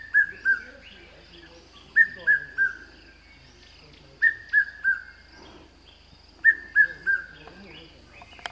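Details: Red-chested Cuckoo (Piet-my-vrou) at Pafuri, Kruger National Park, giving its loud three-note whistle, each phrase falling in pitch, repeated about every two seconds over faint background hiss.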